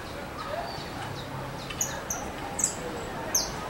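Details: Free-living saffron finch (Sicalis flaveola) singing, its song described as strong and crackling; scattered bright, very high snapped notes and short chirps in an irregular series, with softer lower chirps early on and constant hiss behind.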